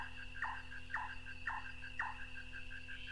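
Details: Large-tailed or white-tailed nightjar of North Queensland tropical rainforest, taken from cassette: four sharp knocking 'chonk' notes roughly every half second, with a quicker background series of soft pulses and a low continuous hum.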